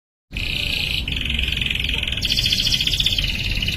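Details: Canary song played as training for young canaries: sustained high trilled notes, a steady tone switching to a rapid rattling trill, with low background hum throughout.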